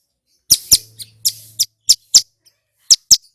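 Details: Singing male Bar-winged prinia, used to spur caught birds into song: sharp high chirps in pairs and triplets with brief gaps, over a faint low hum.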